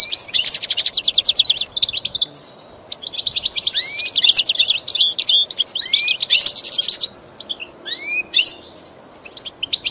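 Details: Pet goldfinch song-training recording: bursts of fast tinkling trills and upswept chirps, with brief gaps between phrases and a soft constant hiss beneath.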